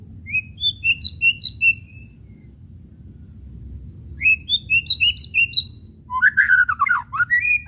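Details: White-rumped shama whistling played to stir other shamas to sing: evenly spaced short high whistled notes in two runs, each note dropping slightly, followed by a louder burst of tumbling, slurred whistles at the end; low hum underneath.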